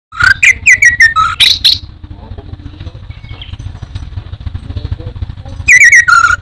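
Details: Orange-headed thrush, a songbird popularly kept in Indonesia, gives clear whistled phrases that slide up and down in a quick burst, falls silent, then resumes near the end over a steady low rumbling hum.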